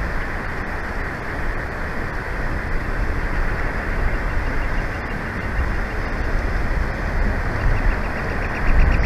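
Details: Continuous loud engine and traffic rumble, like an idling vehicle or passing train, fills the recording with no animal calls heard.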